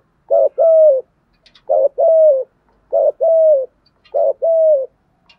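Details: A decoy spotted dove delivers urgent 'thúc gù' cooing in the thổ style to agitate wild doves. Four evenly spaced phrases, each a brief hoot followed by a longer, slightly falling coo, over a quiet background.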